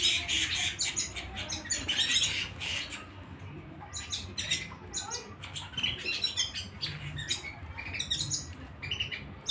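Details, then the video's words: Canary singing at home: fast, busy bursts of high chirps and rolling trills in uneven phrases, with short pauses between them, over a steady low background hum. "canary singing at home"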